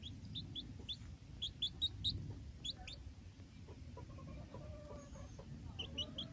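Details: Newborn Silkie chicks outdoors for the first time, with their hens: high, short rising peeps, often in quick series of three or four, with steady low background rumble.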